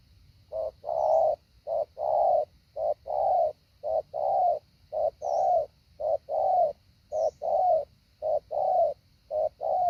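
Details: Spotted dove kept as a decoy and trained in the 'hạ bổi' style: deep, rough coos in short-long pairs at a regular pace, about one per second, while a small bird chirps faintly high above a few times.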